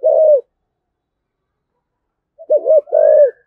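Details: Spotted dove 'thúc gù' coo used to provoke rival wild doves: one steady low coo, a second of silence, then a wavering coo followed by a longer flat one.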